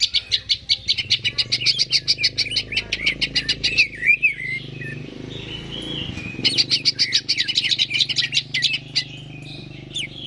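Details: Greater green leafbird song played to get birds singing: long runs of rapid repeated chips and rattling trills with whistled slurs between them, over a steady low hum in the background.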